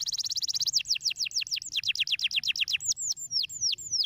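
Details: Canary giving stimulating song: a very fast buzzy trill, then a long series of repeated downslurred whistles that gradually slow, clear and high-pitched, with faint low hum.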